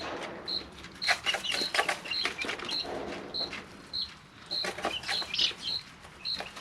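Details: Brooder full of three-week-old chicks: steady single high peeps repeated roughly every half second, with sharp pecking clicks and light rustles filling the gaps.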